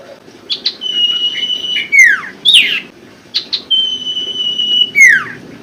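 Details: Common Iora song played to get idle birds singing: a few short notes lead into a long steady whistle that drops in a steep sweep, then a rasping falling note, and the long whistle and sweep again.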